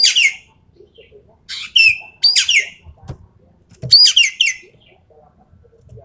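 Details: Rapid-fire song from a Javan pied starling, played to test champion birds: scattered bursts of harsh, falling whistles and a sustained buzzy note, separated by quiet gaps, with faint low knocks.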